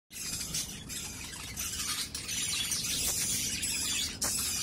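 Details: Budgerigar chicks, growing too big for their clay-pot nest box, give a steady stream of raspy, hissing begging calls while their father feeds them from outside the nest.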